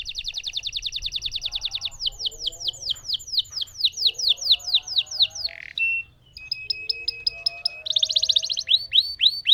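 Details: Lemon canary in full song, a long rolling performance: fast buzzy trills shifting into series of down-slurred whistled notes, a brief low whistle mid-way, then a rapid rattle and more swooping notes.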